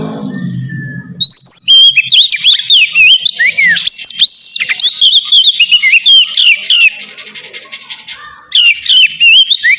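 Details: Ngeplong song of a kacer, or oriental magpie-robin, meant to get idle birds singing: after a low murmur, a long loud stream of varied whistles, trills and chatter, then a short pause and another bright burst.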